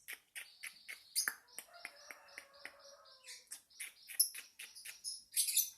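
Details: Lovebird twittering: steady, evenly spaced squeaky chirps with softer warbled notes running underneath, ending in a louder shrill burst.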